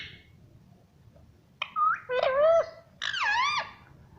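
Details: After a quiet start, a talking pet rose-ringed parakeet, reportedly saying "mummy", gives three clear, wavering nasal syllables, the last one rising and dipping.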